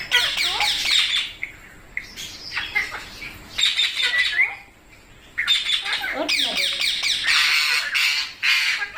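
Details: Several baby Indian parrots at feeding time squawk continuously in harsh, high, scratchy bursts with rapid chirps, in waves of a second or two, with a brief near-quiet pause midway before a longer, denser chorus.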